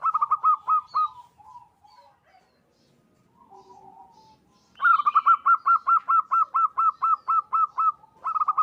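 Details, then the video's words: Local zebra dove calling to other doves, a call used as a lure to draw other zebra doves. A short burst of rapid, even cooing notes, then a long run of about fifteen quick notes. Softer low coos fill the gap, with a brief higher chirp. "Perkutut lokal gacor suara memanggil teman"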